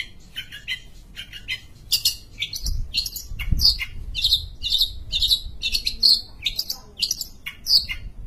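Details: ['Pentet, the Sumatran long-tailed shrike, sings a busy medley: quick scratchy chips first, then louder squeaky, slurred notes repeated at short intervals. A couple of low thumps sound in the background.']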